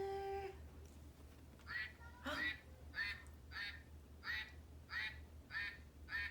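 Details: Mallard duck gives a series of about eight harsh, nasal quacks, roughly one per second, after a brief hum at the start.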